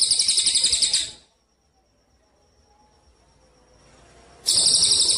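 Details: Recording for training songbird contest birds: a Cililin Eurasian tree sparrow's 'kapas tembak' song, a high rapid pulsed trill that stops, a quiet pause of about three seconds, then the trill starting again.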